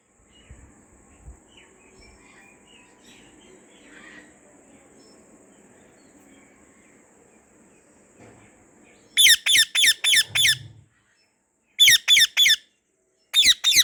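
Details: White rose-ringed parakeet, a pet bird in a garden, silent at first, then gives bursts of loud, harsh, rapidly repeated screeching calls in two quick series near the end, over faint background hum.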